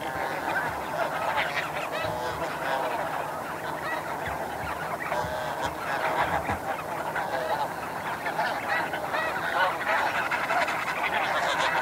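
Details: Snow goose flight calls recorded at Chincoteague, Virginia, U.S., with a flock calling in the background; dense overlapping nasal honks and yelps run continuously through the recording, many birds calling at once.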